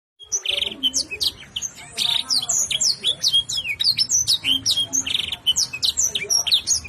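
A canary sings a fast, varied song of high chirps, rapid trills and sweeping whistled notes, delivered without pause.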